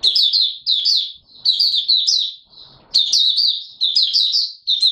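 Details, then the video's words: Caged white-eye (Mata Puteh Raja), not yet in full condition, opening its song on 9 May 2022: high, thin twittering phrases of quick descending notes in bursts, a short quiet gap between them. "Mata Puteh Raja V1 buka sing not full condition yet"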